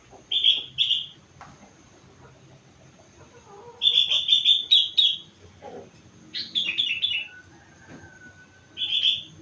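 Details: Four-month-old sooty-headed bulbul singing a song filled with imitations of rengganis and cucak wilis. Short bursts of bright, rapidly repeated chirpy notes are separated by pauses, with a thin, level whistle in between and a low background hum.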